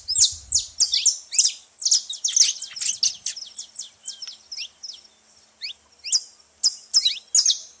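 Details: Saffron finches noisily visiting a seed feeding spot. Crowded high tweets and chirps fade into more widely spaced, thin upslurred notes. A low rumble is heard at the very beginning.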